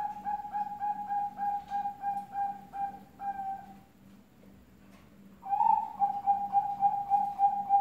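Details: Zebra dove singing at night: a steady series of short, clear, cooing notes, about three or four a second, then a pause of about two seconds before the series resumes, over a low, constant hum.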